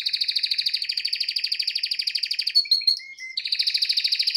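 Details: Pet male canary singing loudly indoors in front of a television: fast rolled trills of rapid repeated notes, about three per second in the pulse pattern, broken by a short burst of varied chirps before the rolling trill resumes.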